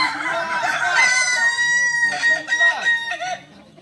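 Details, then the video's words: Kokok balenggek rooster crowing at a latberan in Solok, a drawn-out ringing crow with a long even middle that ends in a few short stepped notes before fading, with other roosters and people audible around it. "ayam kukuak balenggek"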